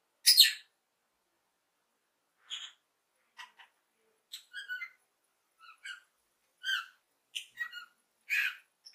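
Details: Happy lovebird chirping: scattered sharp, high chirps and short squeaky notes in irregular bursts, opening with a loud harsh squawk, with quiet gaps between calls.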